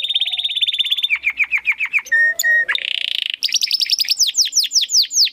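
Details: Clear canary song for teaching contest birds: a fast high trill, falling whistled notes at a steady beat, two long flat whistles, a buzzy roll, then loud downward-sweeping notes.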